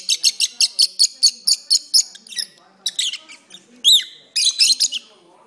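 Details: Indoor pet lovebirds in a prolonged singing bout on an arm: a fast even series of about a dozen sharp chirps, then scratchy twitters, a rising-falling squeak and a final burst of chirps.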